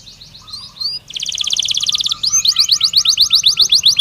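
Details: Belgian canary stimulus song for training: a few rising slurs, then a rapid buzzy trill, followed by a series of repeated descending notes about four per second over faint low hum.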